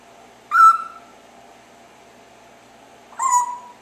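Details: Indoor pet parrot chirping during an afternoon: two clear whistled chirps about two and a half seconds apart, each a short bright note that trails off, quiet room otherwise.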